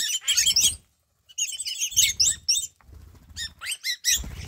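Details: A flock of Wattled Starlings visiting a garden in Namibia in the morning: bursts of squeaky, chattering high notes and whistles in dense clusters, with soft low thumps and rustling beneath.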